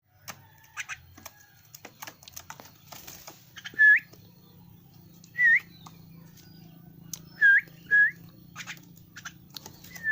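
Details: Young caged pet Javan myna calling: short whistled notes that hook upward, given singly or in pairs at irregular intervals, over a steady low hum and faint clicks.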